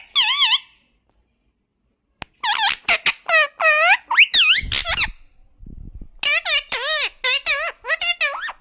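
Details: Pet talking parrot producing quick strings of bright, harmonic, speech-like syllables that bend up and down, with a silent gap early on and a faint low rumble midway.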